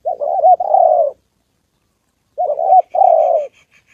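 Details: Spotted dove, a decoy bird facing a wild dove and a female on the 2 September holiday. Two low cooing phrases, each a wavering short note then a long falling coo, with faint high chirps at the end.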